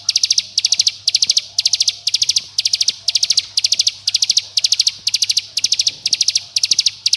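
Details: Bar-winged prinia, tight 'bren' rattle used to coax young birds to sing: bright, dry bursts of about five fast notes, repeated evenly roughly every half second throughout.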